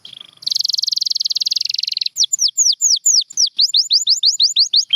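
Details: A canary delivers a long, steady buzzing trill, then switches to crisp, downward-slurred whistled notes repeated about twice a second, quickening slightly toward the end.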